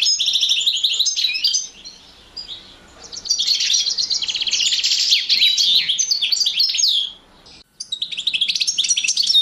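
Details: Male European goldfinch with a female canary, 2012, singing bursts of rapid, jangling twitters and buzzy trills, with quieter pauses between phrases and a final bright chattering run.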